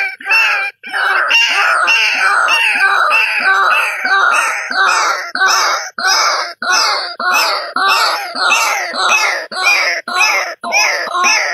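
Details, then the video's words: A White-breasted Waterhen gives loud, harsh, nasal croaks in an unbroken series, about one and a half a second, with no other sounds. "tiếng chim quốc ngực trắng"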